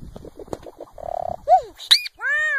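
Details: Solitary cacique giving a run of soft ticking notes and a buzzy rattle, followed by a rising-falling slur, a sharp high chip and a loud ringing arched note.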